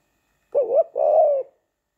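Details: Pet male spotted dove courting its owner, spring, 23 September 2019: one soft coo in two parts, a brief wobbling syllable followed by a longer even, mellow tone, nothing else audible.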